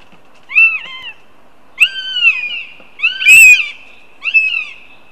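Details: Young northern goshawk siblings, one male and two females, meeting near the nest in Riga, Latvia, in July: four loud, harsh, wailing screams with falling tails, the third strongest and rasping, separated by short pauses.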